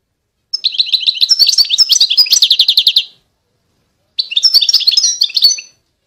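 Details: European goldfinch song: two bursts of rapid, liquid twittering with buzzy trills and tinkling notes, the first lasting about two and a half seconds, the second shorter after a silent pause of over a second.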